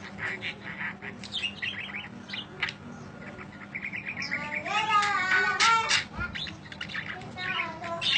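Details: Long budgerigar chirping for masteran bird training: rapid twittering notes and buzzy chattering, growing into a loud, dense warble midway, then a few scattered chirps, with a steady low hum underneath.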